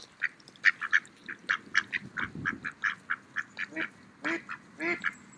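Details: Several mallard ducks eating in a park on an autumn day give quick, soft nasal quacks, about three or four a second, broken near the end by two louder, drawn-out quacks.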